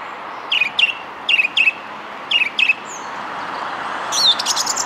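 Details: Song thrush singing in near-darkness early morning from a perch at South Lake gives a clear, doubled phrase three times in quick succession, then a new, higher phrase over a soft background hum.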